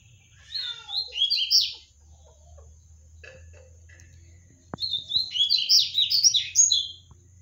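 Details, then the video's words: Captive-bred double-collared seedeater singing hard: two bursts of quick, high, twittering song with rapid chirps and slurred notes, separated by a pause, over a low hum. "Papa-capim do Daniel cantando muito!"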